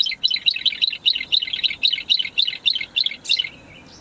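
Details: Bluethroat at Saladar de Los Canos, January 2010: a fast, steady run of high, chirpy notes, about four or five a second, for three and a half seconds before falling quiet.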